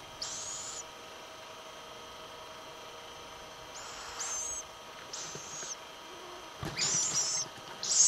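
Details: Little owl: harsh, hissing bursts high in pitch, each about half a second long, come in a loose series of five, with quieter pauses and faint steady background hum between them.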